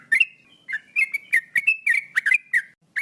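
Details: Energetic song of a male sooty-headed bulbul, a chattering run of clear, bubbly whistles that dip and rise, packed closely together with a short pause just before the last note.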